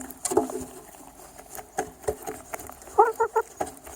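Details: Chicken eating: sharp scattered pecking clicks against a hard surface, followed near the end by three quick soft clucking notes in a row.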